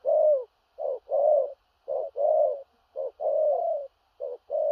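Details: Spotted dove giving a Thổ rặc song with stuttering gù cà lăm coos. Short clipped notes alternate with longer falling coos in steady pairs, low-pitched and loud, with a quiet background.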